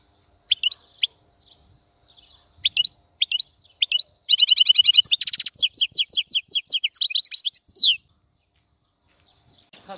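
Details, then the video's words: Goldfinch song opening with a few scattered sharp chirps, then bursting into a dense, fast twitter of ringing notes and buzzy trills for about four seconds before falling quiet. "تغريد طائر الحسون | فيديو رائع لتغريد الحسون"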